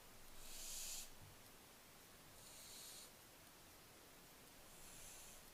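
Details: Barn owlets recorded 15 July 2024 give three drawn-out, noisy hisses spaced about two seconds apart. The first is loudest, and the later ones are softer and airy.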